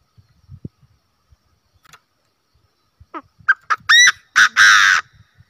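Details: A decoy Chinese francolin calls after a quiet start: several quick, rising, ringing notes lead into two loud, harsh, grating blasts, with faint knocks earlier.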